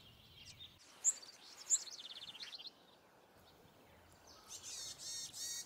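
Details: Varied tit parent at its nest in a rocky hole on Bugaksan, on a hot day of about 30°C, bringing food to its young: two thin, high notes, then a quick run of buzzy, slightly lower notes, over soft hiss and a later high rustling wash.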